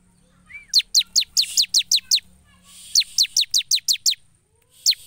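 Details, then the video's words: Bar-winged prinia in full song, played to spur lazy caged birds into singing: a rapid series of sharp, high, downward-slurred notes, about eight per second in bursts, with a faint low hum beneath. "Suara Ciblek gacor"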